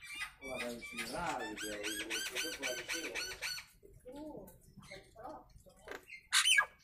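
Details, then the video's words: Nias hill myna in natural voice, a training master for birds: a rapid series of clear harmonic repeated notes about four per second, softer gurgling phrases, and a loud sharp squawk near the end. "Suara Asli Burung jalak nias"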